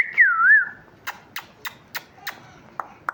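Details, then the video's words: Talking parrot chirping indoors: one loud warbling whistle that wavers up and down, then a run of sharp dry clicks or taps, roughly three to four per second, each fairly evenly spaced. "Talking parrot chirping sounds"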